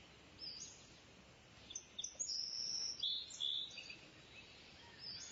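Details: Kingfisher giving scattered high, piercing whistled notes and short sharp chips in irregular bursts, the loudest in the middle, over low steady outdoor noise.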